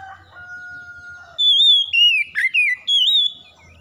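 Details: Oriental magpie-robin song, played as daily therapy to get a bird singing quickly: two steady, even, lower tones come first, then four short bursts of loud, clear, high whistles that slur up and down, one with a rougher dip.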